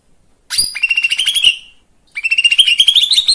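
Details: Two quick trilled phrases from a lesser green leafbird, a song used to excite other birds. Each starts with a bright high note and runs as a fast, buzzy, gently rising rattle.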